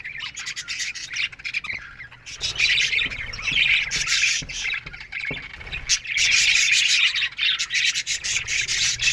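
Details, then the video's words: Morning chirping of a colony of Australian budgies in an aviary: dense, buzzy, scratchy chatter from many birds, fading briefly near the start and after six seconds, then building again. "Budgies Morning Chirping Sounds"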